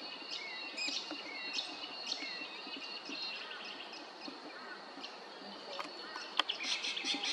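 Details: Spangled drongo at Maryborough, Queensland, giving sharp, twangy chattering notes and short metallic whistles, loosely repeated, over a busy chorus of other small birds and steady background hiss.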